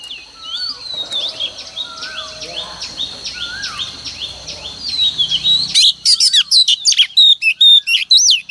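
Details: Female oriental magpie-robin decoy singing to push males into song each morning: softer repeated downslurred whistles with background noise for several seconds, then a sudden bright flurry of loud rapid whistled notes.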